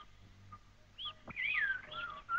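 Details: A Red-capped Robin-Chat (Natal robin), a fine mimic of thick bush and forest, sings rich sliding whistles swooping up and down in quick phrases, over a faint background hum with a brief knock.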